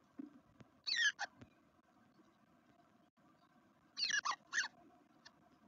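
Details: Two clusters of three or four high, descending squeaky notes about three seconds apart, from black redstarts at their nest in a Veszprém garden, Hungary, day two, with faint clicks and a soft hum between.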